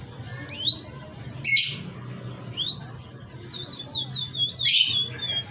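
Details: A local canary sings merlok style, with long pure whistles that hold one pitch and then break into a wavering, slightly warbled run. Two sharp noise bursts cut in, over a faint low hum.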